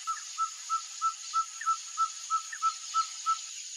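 Ferruginous pygmy owl giving a long series of clear, evenly spaced whistled toots, about three per second, over a steady background hiss.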